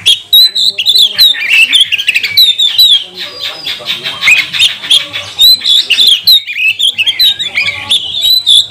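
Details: Magpie-robin (kacer) lure song for provoking rival birds into full song and tail display; continuous loud stream of piercing whistles interwoven with harsh buzzy rasps and rapid chips.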